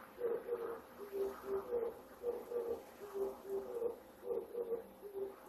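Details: Male Oriental turtle dove in Japan, singing at dawn from early September in the breeding season to attract a female and claim territory; low, soft hooting coos in short rhythmic phrases of several notes, repeated steadily over faint background hiss.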